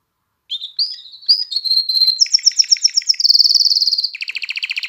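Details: Singing canary, used to excite females for breeding and train young birds, opens with short rising whistles, then moves through rapid repeated notes into a dense high trill and a lower rolling trill.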